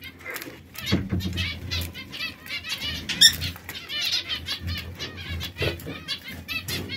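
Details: Three domestic canaries in a cage, coloured red, yellow and brown, sometimes bickering. Rapid arched chirps run almost continuously, punctuated by sharp wingbeats and rustling, with a faint hum beneath.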